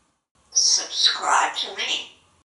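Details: Pet African grey parrot, a male living in a Texas home and hatched in 1997, chattering and laughing at himself; one continuous run of high, speech-like syllables with whistly edges lasting about two seconds, nothing else audible.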